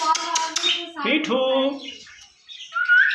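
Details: Two pet rose-ringed parakeets, let out of the cage to play and being coaxed to talk in front of a mirror: one chatters in speech-like syllables for two seconds, then gives a short, sharp rising whistle; faint high chirps in the background.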